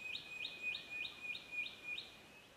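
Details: Spotted quail-thrush in Australia gives a quick run of six very high, thin, slightly rising notes, about three each second, over a faint steady hiss.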